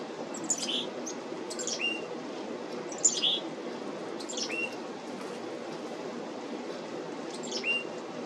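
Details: Black-capped chickadees at the feeder, 17 July 2025, repeat a pattern of high thin chips ending in a short hooked lower note, roughly every one and a half seconds, over steady low hum.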